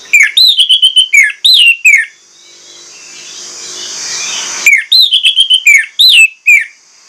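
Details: Orange-headed thrush (anis merah) singing a 'pancingan' lure song to draw out other birds: loud, clear whistled phrases with rapid sliding notes, a two-second burst, then near silence with faint hiss, then another burst of varied whistles.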